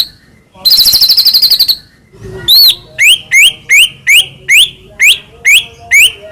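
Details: A harsh rapid rattle, then a steady series of loud rising whistled notes about every half second from a white-rumped shama, used to make captive birds sing.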